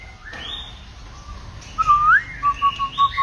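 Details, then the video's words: White-rumped shama song with many voices: a soft, varied rising whistle, then a loud upward-slurred note followed by five evenly spaced clear whistles. "kích chòe lửa hót,chòe lửa hót nhiều giọng"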